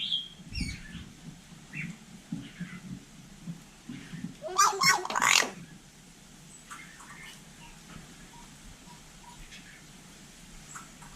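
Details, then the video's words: Vietnamese hill myna imitating human speech, giving short chirpy syllables, then a loud harsh rasping burst lasting about a second, followed by quieter scattered squeaks. A person talks nearby. "Chim nhồng nói tiếng người cực đỉnh"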